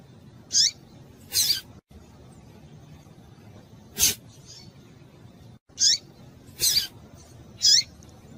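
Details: Female double-collared seedeater in breeding condition calls to arouse males, giving about seven thin, high, downslurred chirps at irregular intervals, mixed with crisp clicking snaps against a quiet, low rumbling background.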